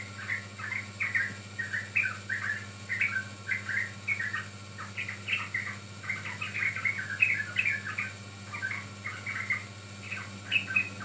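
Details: Sooty-headed bulbul song for luring birds: a long, busy chatter of short warbled chirps in clumps, barely pausing, with a constant faint low hum.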